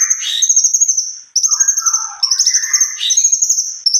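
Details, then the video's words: Actively singing cucak kombo with a long rolling song: repeated bursts of shrill, fast-trilled high notes, each joined by lower slurred warbles, coming in quick succession. "burung cunkok gacor.rol pjang"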